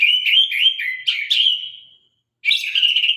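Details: White-rumped shama of the Sabang strain giving a sharp, sustained warbling trill with slight pitch wobbles, fading out, then resuming after a short gap.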